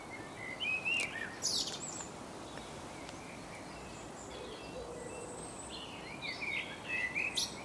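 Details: Common blackbird singing from a tree branch in England: short mellow warbled phrases near the low-middle range, each ending in a thin high twitter, separated by pauses over steady background hiss.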